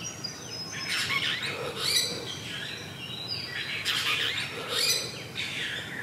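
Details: Apostlebirds gathered at their mud nest, Australia; harsh rasping calls in two main bursts, mixed with thin high chirps and a scratchy chatter, outdoors with light background noise.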